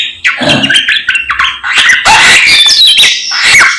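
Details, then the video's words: Morning song of a samyong in full voice: mixed whistles, squeaks and chattering notes, growing louder and denser toward the end with sliding high whistles. "SAMNYONG GACOR Menggemaskan DI PAGI HARI SANGAT MENGGILA MELEGENDA 1001 KICAUAN"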